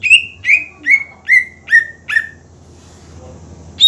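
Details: Greater green leafbird in full song, played to provoke rival birds into singing: six loud whistled notes, each sliding downward, repeated about every 0.4 seconds, then a pause before another note begins.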